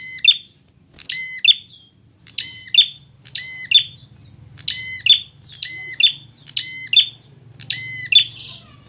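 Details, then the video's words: Prinia singing in fighting mode, recorded as a tutor to spur other birds into song: a steady run of bright, ringing double notes with clipped buzzy endings, about two per second, against a soft background drone. "masteran prenjak agar cepat gacor"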